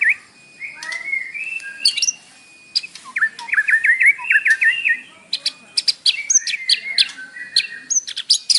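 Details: Morning lure song of a white-rumped shama, isian style, used to stir captive birds into singing: rapid trills of short descending notes, ringing whistles and sharp clicks in quick succession, with a steady thin tone behind.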